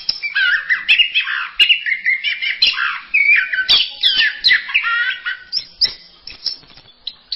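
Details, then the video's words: Orange-headed thrush (anis merah) singing a long, continuous masteran-style medley: rapid warbling and squeaky notes of mixed pitch, running without a break and fading into softer scattered chirps at the end. "Berbagai kicau burung anis masteran"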